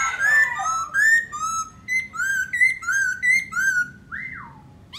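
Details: Singing and displaying Black-throated laughingthrush: a sequence of mellow whistled notes about three per second, alternating rising and falling slurs, ending in a long downward-swooping whistle.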